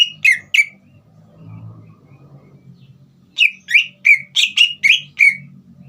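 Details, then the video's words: Green leafbird in full song, used to stir a young bird into singing. Three sharp slurred notes open, then a low rumbling hum fills a gap before a lively series of about eight downslurred whistles. "CUCAK IJO GACOR INI SPONTAN MEMANCING EMOSI CUCAK IJO BAHAN TROTOL AGAR GACOR"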